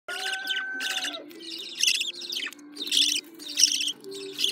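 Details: Budgerigar chicks begging: harsh, raspy bursts of hissing chatter repeated in short pulses about every half second to second, with a low steady hum and a brief smooth whistled tone near the start.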